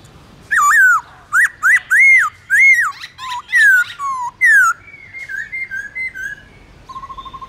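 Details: Black-throated laughingthrush in morning forest-style song, kept and trained to sing; rich arched whistles about twice a second, then a run of softer short notes and a fast trill at the end.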